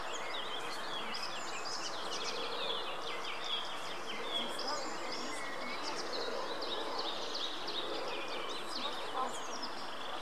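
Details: Greylag goose goslings at the Munich Botanical Garden give a busy stream of thin, high, overlapping peeps, each a quick rising or falling whistle, over a steady low rumble of background noise.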